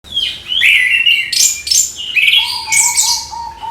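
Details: Orange-headed thrush singing in the morning, meant to encourage young thrushes to open their beaks and sing: clear whistled phrases that slide and rise, shifting between pitches, with a steady lower whistled note running underneath near the end.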